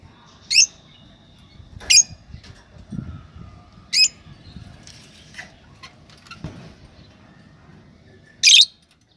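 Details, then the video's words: Lovebirds give four shrill, sharp chirps spaced a few seconds apart, with faint rustling and soft background noise between them. "Lovebirds singing | Lovebirds chirping"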